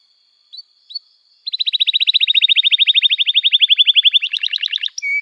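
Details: Singing canary, a lure recording for young canaries learning to sing: two short soft rising chips, then a long, rapid, rolling trill of high notes, nearly three per second per beat, turning rougher near the end before a brief whistle.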